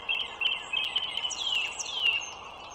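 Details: Wild bald eagles at a nest by the Dulles Greenway in northern Virginia, 21 March 2023 at 09:15: high, thin piping chatter, a steady run of squeaky notes with a few sharp falling whistles near the end.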